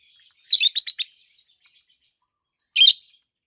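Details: Peach-faced lovebirds, two healthy green adults with red and yellowish-white faces, give a quick cluster of four shrill chirps, then a single grating chirp after a pause.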